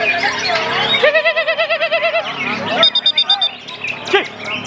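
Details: Greater green leafbird singing at a songbird contest in Banyumas, a loud varied outpouring of rapid warbled notes with a repeated wavering trill series, then a high metallic ticking run, crowd noise underneath.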